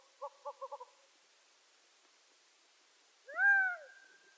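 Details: Gambel's quail of western North American deserts: four quick clucks at the start, a long pause, then one strong, arched, nasal call that rises and falls, with a fading tail.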